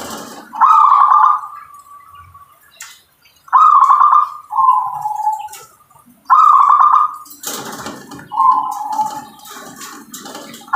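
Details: Zebra dove of local stock giving repeated rolling song phrases, each a rapid trilled burst followed by a softer lower coo, roughly every three seconds; faint clicks and a rustling noise in the background.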